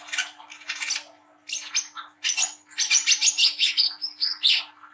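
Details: Young mottled Brown-throated Sunbird in lively song, rough 'ngriwik' chatter mixed with melody, used to prompt young birds to sing. Dense high scratchy chirps in bursts, then a run of sharp, rapidly repeated notes with thin whistled accents.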